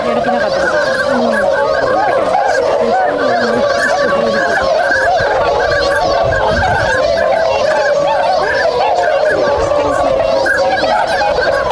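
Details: Swans rousing and starting to move at a swan wintering area in Inzai, Chiba Prefecture, Japan, on 16 January 2022; unbroken chorus of trumpeting honks from numerous birds, steady in loudness throughout.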